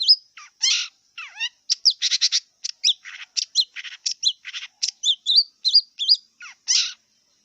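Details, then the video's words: Wild long-tailed shrike singing a dense, fast medley of chattering notes, buzzy bursts and short rising and falling whistles, almost without pause, over a steady high-pitched background hum. "Kicau cendet liar"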